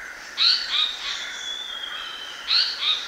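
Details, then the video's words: Black-naped monarch decoy bird singing clear, high two-note whistled phrases, slightly rising then falling, repeated after about two seconds over a faint sustained whistle-like tone. "Chim đớp ruồi gáy đen mồi hót"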